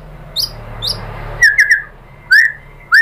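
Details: White-rumped shama (murai batu) lure song (pancingan), used to prompt other shamas to answer and sing. Sparse notes: a few high thin whistles, then short slurred chirps and rising whistles with pauses between. A low hum runs underneath.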